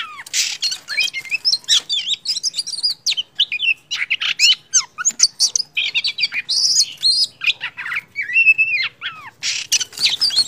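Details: Oriental magpie-robin singing, used as a lure song to prompt silent or lazy magpie-robins to sing: a rapid, varied song of sweet whistles, slurred notes and harsh chattering phrases, almost without pause.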